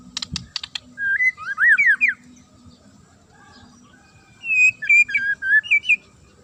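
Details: Magpie-robin (murai) singing sharply to provoke rivals into responding: sharp clicks open, then a wavering warbled phrase, a long pause, and a second phrase of whistled, looping notes.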